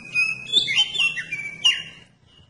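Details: Oriental magpie-robin song played to provoke other magpie-robins to sing: a quick sequence of clear, sweet whistles and slurred notes, with one sharp loud accent near the end before it fades.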